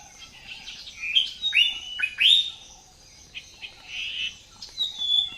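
Cockatiels give bright chirps and rising, upward-swept whistled calls in quick, irregular bursts.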